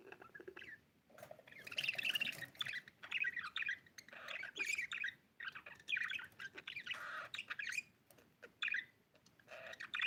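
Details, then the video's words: Pet budgerigar at play, chirping in a busy run of short warbled and squawky notes, with brief pauses between bursts. "budgiePLAY🤣chirping sound"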